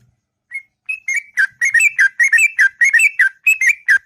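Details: Sooty-headed bulbul giving a long, melodious ngropel morning song, opening with a few lone whistles, then a quickening chain of bubbly two-part whistled notes.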